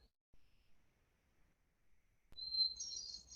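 A Hermit Thrush opens with a single clear, held whistle, then breaks into a higher, shimmering flourish of fluty notes after a quiet start.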